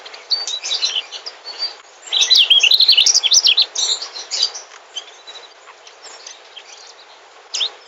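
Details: Sweet-voiced mugimaki flycatcher, a migratory species, gives a loud, rapid run of high slurred whistles and twitters, then quieter scattered chirps and a final short note.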